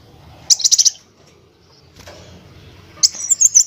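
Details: High-pitched sunbird (kolibri wulung) phrases from a tutor recording for training other birds: a quick burst of sharp ticking notes, a long quiet gap with faint background, then a second rapid twittering burst.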